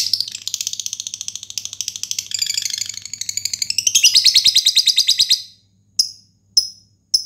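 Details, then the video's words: Fighter lovebird's long ticking call summoning a rival, used to prompt other lovebirds to sing: over five seconds of rapid, rattling high chatter that rises in intensity, followed by three separate piercing chirps. "lovebird ngetik panjang pancingan ngekek"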